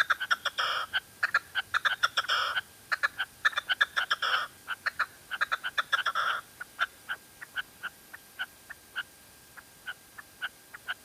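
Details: Female red-legged partridge in La Mancha: loud, harsh rasping bursts and crowded notes for about six seconds, then settling into spaced, single clipped notes roughly twice per second.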